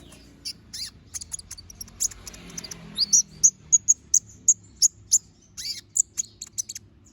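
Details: Little spiderhunter in vigorous, sharp-voiced song: a quick series of thin, piercing high chirps, about a dozen clipped notes spaced roughly a quarter second apart in the second half, after scattered softer twitters.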